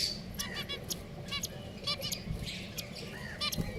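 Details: Pet finches calling: short, nasal, harmonic chirps given singly and in quick bursts, several birds overlapping, with low background hum throughout.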